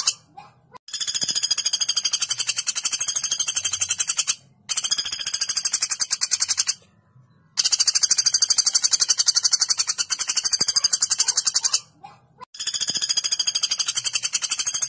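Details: A common flameback (Dinopium javanense), used as a master recording, gives a loud, sharp, harsh rapid rattling trill in long bursts, broken by abrupt short silences between repeats.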